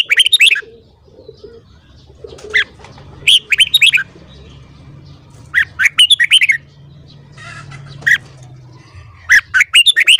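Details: Red-whiskered bulbul singing its morning song for voice training. Lively phrases of four to six loud, liquid, warbling notes recur about every two seconds, with a soft low murmur underneath.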